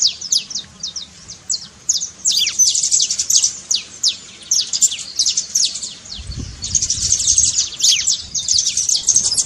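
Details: Saffron finch trincado song for firing up a quiet canary: high downswept notes, spaced at first, then building into a dense, fast chatter, with a single low thump partway through.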